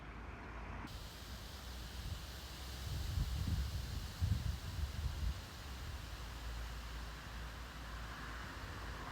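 Steady wind and low vehicle rumble outdoors, swelling in the middle, with no animal sound.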